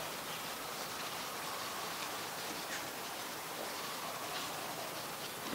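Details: Steady heavy rain hisses across the whole recording, a dense even wash of noise with no clear animal calls.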